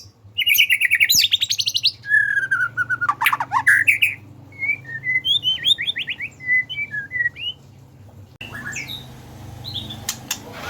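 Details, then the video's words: Singing Medan white-rumped shama in bowing style, kept as a training lure. A buzzy rattling burst opens, followed by loud slurred notes and a bouncing series of short whistles, ending in softer high calls. "Murai R9 gacor gaya maen sujud2 cocok buat pancingan burung bahan"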